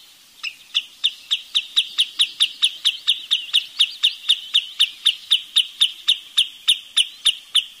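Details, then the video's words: Wood sandpiper giving a fast, even run of sharp, high whistled notes, about four per second for roughly seven seconds, each a short clipped chip; background quiet. "เสียงนกชายเลนน้ำจืด Wood Sandpiper Sound"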